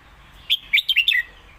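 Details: Master song of a competition red-whiskered bulbul, played to teach young birds and alternated with lak wai: a lively string of six short, bright whistled notes that jump up and down, finishing with a falling slur.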